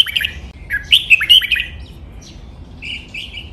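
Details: Red-whiskered bulbul 'double 23' counted-note song for captive birds to learn: a crisp run of bright chirping whistles, then softer trailing notes.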